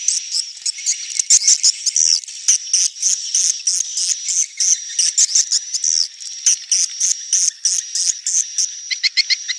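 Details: Swiftlet calls labelled neutral sound: rapid repeated bursts of high, sharp chirping over a thin sustained whine, ending in quick clicking trills.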